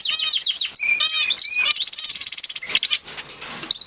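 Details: Gloster canary singing a fast run of bright chirps and rolling trills, a sustained rattling tour mid-phrase, all high and clear.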